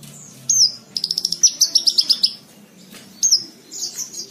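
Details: Horsfield's bushlark song used to train cage birds: high slurred whistle, then a fast series of about a dozen clipped notes, pause, another sliding whistle and buzzy chatter.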